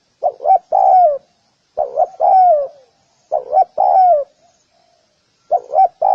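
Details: Four cooing phrases from a spotted dove, each a brisk double coo then a longer descending croon, evenly spaced with short silences between.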